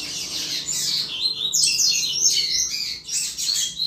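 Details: Double-collared seedeater singing chuva style to fire up other males: fast, sweeping, high twittering notes, some slurred downward, delivered in a steady run with one brief pause.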